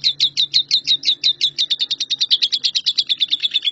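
A lovebird chatters in a fast, unbroken run of shrill chirps, about eight per second, high and slightly falling, with a faint low hum behind.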